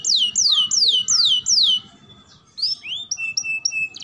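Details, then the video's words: A canary on a tutor recording for young birds gives five loud descending whistled sweeps, a brief pause, then softer rising notes and short clipped flat whistles, with a faint low background murmur. "KENARI GACOR TEMBAKAN ISTIMEWA LANSUNG RESPON MASTERAN TERBAIK UNTUK KENARI PAUD| BAHAN|DEWASA"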